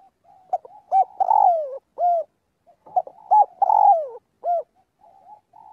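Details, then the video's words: Spotted dove in daily voice practice, calling to its flock: two matching phrases of soft hooted coos, each with a longer falling note in the middle, given about two seconds apart. "chim cu gáy gọi bầy luyện giọng mỗi ngày"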